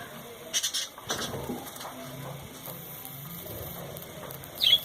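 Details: A few brief, high chirps from caged birds, a quick pair near the start and another near the end, over a low rustling and murmuring background; bird.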